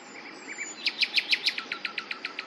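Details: Common nightingale song: soft introductory chirps, then a crescendo of loud, sharp, downslurred notes repeated about six times per second, fading toward the end.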